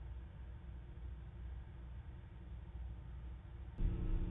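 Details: Low muffled hum and rumble, louder near the end, with no animal call.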